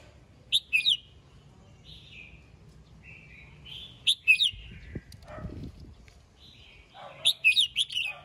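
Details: Red-whiskered bulbul singing in the morning, calling to the flock, with three bursts of bright, bubbly whistled phrases roughly every three seconds and a soft low thump and rustle between them.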